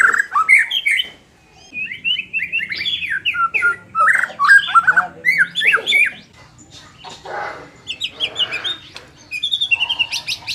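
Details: White-rumped shama song intended to fire up a less combative bird: a busy stream of varied whistles and chatters in the first half, then rougher, noisier notes with short gaps and high squeaks.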